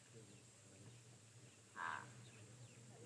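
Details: A pied crow gives one short, harsh, rasping caw at a waterhole on 17 October 2023, a call heard there almost daily at this time of day, over a faint low hum and quiet outdoor background.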